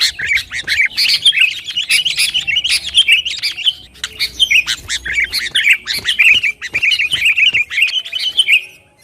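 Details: Sooty-headed bulbul singing lively, used as training audio to provoke rivals and make kept birds sing: dense run of chattering, bubbly notes with sharp clicks, continuous for nine seconds, tailing off into a final falling note.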